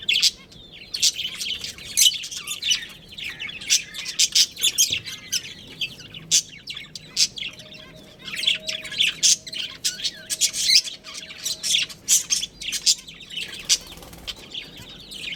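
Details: Budgerigars of a breeding pair chattering continuously: long, dense stretches of high, scratchy chirps and warbled squeaks, loud and soft passages alternating, with a faint steady hum midway.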